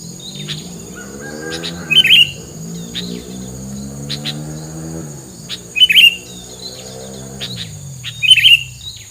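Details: Songbird used as filler sound to keep rivals away, giving short bright chirp bursts about every two seconds, over a low wavering harmonic tone and a steady high hiss.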